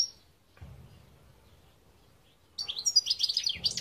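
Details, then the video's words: European goldfinch, 2021: mostly quiet with faint low rumbling at first, then a bright, high burst of fast twittering and trilled notes during the final second and a half. "Chant Chardonneret"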